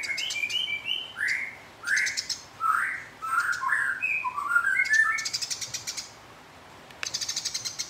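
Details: House sparrow fighting a rival. Loud, harsh chirps come roughly every half second, followed by a long dry rattling chatter, a short pause and another quick burst of clicks.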